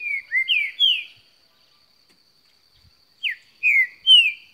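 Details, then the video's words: Green-winged saltator singing vigorously: loud whistled phrases of slurred notes, first falling then rising, grouped in two bursts separated by about two seconds of silence, with a steady faint high hum throughout. "Trinca ferro cantando muito"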